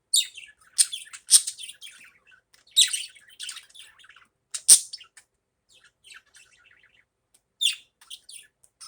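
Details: Budgerigar heard in the morning, giving bursts of high, scratchy chirps and chatter in clusters separated by short quiet gaps, with a few sharp clicks.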